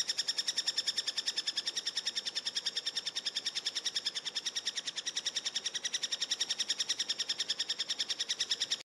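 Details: Eurasian three-toed woodpecker (Picoides tridactylus), begging call: nestlings begging for food while being fed.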